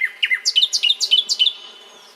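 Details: Nightingale delivering a fast burst of about a dozen repeated chirping notes, each with a rising and falling sweep, fading into a thin whistle.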